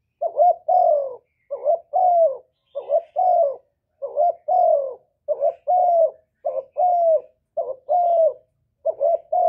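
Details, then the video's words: Spotted dove giving steady, loud song, captured with no background sound and used to get kept doves to coo: a continuous run of low coo phrases, each a quick double note and a longer descending tone. "Cu gáy lớn tiếng, không tạp âm, giọng hay dễ mở, cu gáy kích bổi, cu gáy đi bẩy, cu đất gáy, cu cườm"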